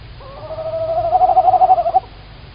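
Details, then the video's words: Female tawny owl calling very close on a live Estonian camera, 9 March 2019 at 19:16, one drawn-out hoot of nearly two seconds, steady then breaking into a quavering tremolo, quiet background. "Tawny Owl - Female Owl is calling very close"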